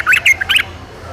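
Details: Yellow-vented bulbul in the wild gives a brief, harsh, gurgling burst of three or four quick notes, then falls silent.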